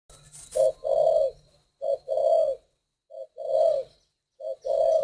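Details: Captive spotted dove (cu gáy) of the 'thổ đồng' voice type giving deep, hollow coos: a short note then a longer, rolling one, repeated four times in about five seconds, with faint room noise.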